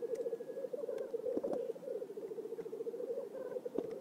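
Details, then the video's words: Lekking black grouse in an Oulu swamp, Finland, 5 May 2022: a fast, beaded run of low bubbling coos pulsing many times a second, with a few sharp clicks and short higher squeaks mixed in. "Black grouses lekking / la parade du Tétras-Lyre / Teeret soitimella"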